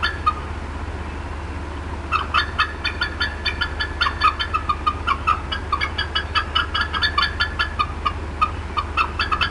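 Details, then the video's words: Mother bald eagle at the Decorah North nest, upset by something near her area, 18 April 2016: after two seconds of hum, a prolonged rush of rapid squeaky chittering notes begins. "MOM UPSET & CLUCKING A VERT LONG TIME"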